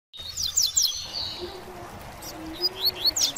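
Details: Double-collared Seedeater (mateiro) song in a singing dispute over a female with other seedeaters: quick, high twittering notes in short bursts, rising and falling, with a faint low hum underneath.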